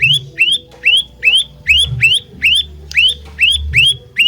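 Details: Olive-backed tailorbird, lure recording in fighter style: loud, clear upward-slurred whistled notes, about two to three per second, evenly spaced, with low droning background sound.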